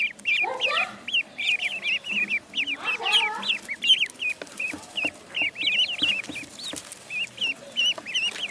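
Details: Duckling in the pond peeping steadily, about two to three sharp high notes a second, each a quick rising-falling chirp, with a few lower sliding calls near the start.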